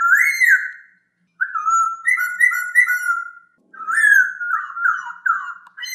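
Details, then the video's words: Masked laughingthrush singing in a clear voice, for training other birds: a sequence of mellow, looping whistled phrases of repeated up-and-down notes, broken by two short pauses, with a faint click at the very end. "MASTERAN AMPUH; SUARA POKSAY HONGKONG JERNIH"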